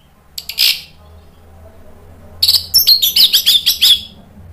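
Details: Orange-headed thrush song meant to spur other birds into song: a brief harsh chatter, then a rapid run of about ten bright, slurred whistled notes after a pause.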